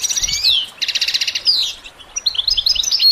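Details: Goldfinch singing for songbird training: a quick falling slurred whistle, then a burst of fast buzzy trilled notes, a pause, and a run of bright tinkling chirps ending in a thin high whistle.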